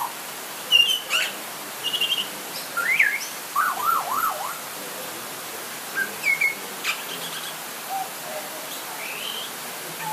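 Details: Butcherbird calling during light rain: clear fluted whistles and short rising notes, including a wavering warbled phrase, against a steady hiss of rain.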